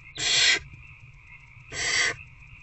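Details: Older barn owlet being fed one on one by an adult in a nest box at night, 19 February 2024; two loud, harsh hissing screeches, each about half a second long, separated by a gap of just over a second, over low hum.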